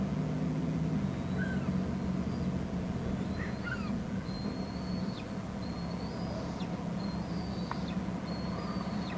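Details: Bald eagle nest on Hornby Island, an adult delivering food to eaglets that seem uninterested; a string of thin, high, flat whistles ending in quick down-slurs repeats through the recording against a low steady hum.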